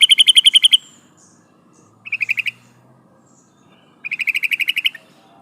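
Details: Sooty-headed bulbul, female, calling to attract a male: three bursts of rapid repeated chattering notes, the middle one short, with quiet gaps between.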